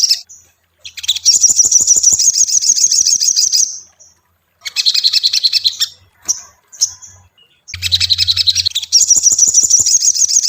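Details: Ashy tailorbird song meant to spur a kept bird into singing: long, fast, high rattling trills in several bursts separated by silences, with a few isolated sharp chips and a faint low hum.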